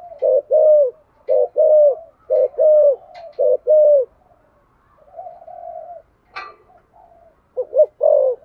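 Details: Spotted dove cooing to urge other doves to answer: repeated loud two-part hooting coos in quick succession, a soft drawn-out coo and a short sharp click in the pause, then more coos.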